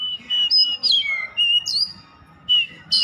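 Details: Oriental magpie-robin song of a few long clear whistles, some flat and some sliding downward, with sharp rising notes between short pauses.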